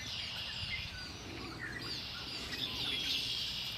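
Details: Birdsong at Lake Erie: a continuous high chorus of rapid chirps and short twittering phrases, with a few thin whistled notes standing out near the end.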